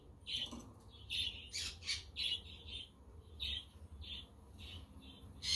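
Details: On a windy but sunny day, budgies give a steady run of short, bright chirps roughly every half second, some harsher and noisier. A quaker parrot and a conure can be heard in the background.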